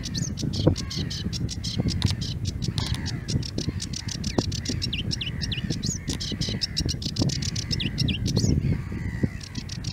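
Sedge warbler delivering a fast, scratchy chatter of harsh clicks and buzzy notes with occasional whistled rising phrases, over steady low rumbling wind.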